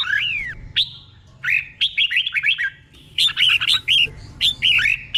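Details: Caged red-whiskered bulbul tutor bird singing continuous doubled phrases, a lively string of liquid, slurred whistles and sharp chirps, steady over a low background hum.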